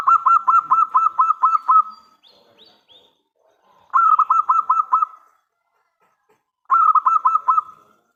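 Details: Loud local zebra dove used to draw answers from other doves: three bursts of fast, rhythmic, bubbling coos, the first the longest, with short pauses between.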